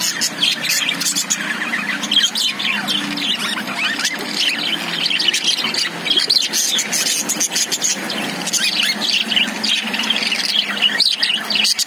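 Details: Constant high chatter from caged lovebirds: rapid, scratchy chirps and squeals layered thickly over one another throughout, with a faint low hum in the background.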